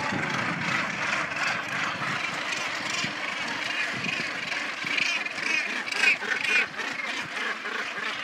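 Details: Many Northern Gannets displaying and mating at the Bonaventure Island colony, Quebec, make a dense din of harsh, grating overlapping calls, a continuous rasping clamor over a steady background roar.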